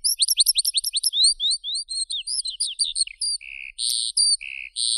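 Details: A skylark pours out fast, high chips in a quick repeated run, then moves into slurred twittering and a few buzzier, lower held notes, all in a clean recording with no background noise.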